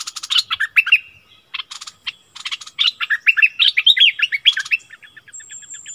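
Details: Streak-eared bulbul kept as a decoy bird, singing lively bubbly phrases of chirps and short slurred whistles in fast irregular bursts, with a faint thin high whine near the end.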